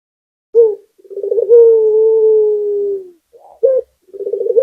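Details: Local Barbary dove singing vigorously: a short coo, then a rolling trill that runs into a long, even, slowly falling note lasting about two seconds, followed by brief clipped coos and the start of another rolled phrase.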